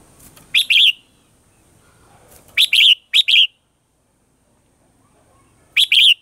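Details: Red-whiskered bulbul morning song, mature wild-style voice, played as a lure for training caged birds: four short, clear, warbled two-part phrases, two of them close together mid-clip, the others spaced apart.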